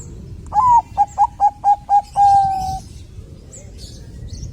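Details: Zebra dove, Bangkok type, singing to encourage other doves to sing: a drawn-out first coo followed by five short rapid coos and a long level final coo, then quiet background.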